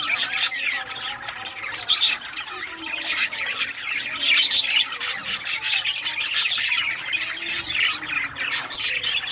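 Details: Playing budgerigars of rare colour varieties, 18 June 2023, chirping with toys nearby: rapid, rhythmic chatter of squawks and chirps punctuated by many sharp ticking clicks, loudness rising and falling in short pulses.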